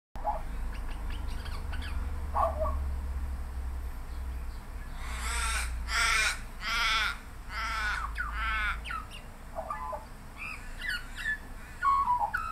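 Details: Australian magpie singing on a suburban Melbourne fence late afternoon in light drizzle, giving harsh bark-like bursts mimicking a dog between short warbled and whistled notes, in a long repertoire also mimicking a seagull and parrot-like bird.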